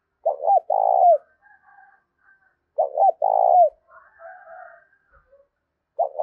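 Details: Spotted dove cooing, used to stimulate cooing and train a decoy bird: low hooted phrases of two short notes and a long swelling coo, repeated about every three seconds, with faint softer calls between.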